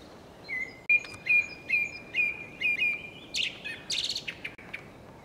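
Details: On Ameland in the evening, a skylark gives a row of short, level whistled notes about twice a second, then bursts into buzzy, rapid, high chattering phrases, with a soft rushing backdrop.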